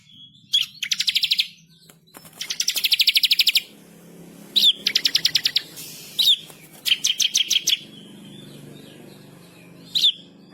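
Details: Bar-winged prinia (ciblek kristal) singing a lively master song of rolling trills and sharp shots. Separate fast rattling trills of high, evenly spaced notes are broken by pauses, with single sharp chirps and a low background hum.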